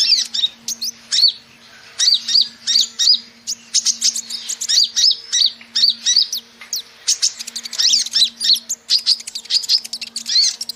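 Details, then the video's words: Brown-throated sunbird, known locally as kolibri ninja or konin, in a lure recording meant to attract birds: sharp, high chirps and twittering notes in quick bursts, with short pauses and a steady low electrical hum beneath. "Suara Burung Kolibri ninja (konin) pikat"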